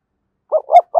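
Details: Spotted dove used as a decoy bird, heard in a brief burst of three low cooing notes, the middle one strongest, cut off at the end.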